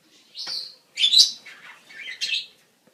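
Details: Budgerigars calling in breeding season, played to stimulate captive birds to breed: a continuous stretch of scratchy, chattering warble with high squeaky notes and lower rolling phrases, three linked bursts.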